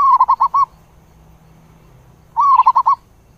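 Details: Zebra dove calling its flock with rapid stuttering bursts of five quick cooing notes, a pause of nearly two seconds, then another similar burst, clean and loud over a faint low hum.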